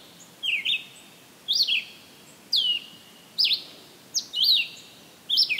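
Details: Red-eyed Vireo song recorded July 13, 2023, in summer at Maynard, Massachusetts: crisp, high slurred phrases, each quickly rising then falling, repeated roughly once a second, six phrases against a quiet background.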